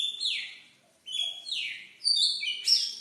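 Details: Shama song meant to rouse silent birds: slurred whistles falling steeply in pitch, a quiet gap, then more descending notes and a closing cluster of piercing high phrases.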